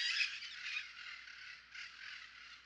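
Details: A wild Puerto Rican parrot (Amazona vittata) in Río Abajo State Forest, Utuado, Puerto Rico, after Hurricane María, gives a harsh, raspy, continuous squawking call with louder bursts near the start and again about two seconds in.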